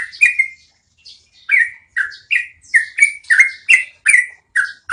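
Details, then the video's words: Training audio for cage birds of a yellow-vented bulbul's long rolling song: a few opening notes, a brief hush, then a steady series of rich, downslurred bubbly notes, about three per second. "MASTERAN SUARA BURUNG TRUCUKAN NGEROLL PANJANG"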